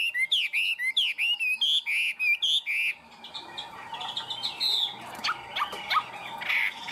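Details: Tame caged Chinese hwamei in full song: a fast run of loud, clear whistled phrases, each note sliding and repeated in quick bursts, then softer, varied warbling notes with some faint background noise.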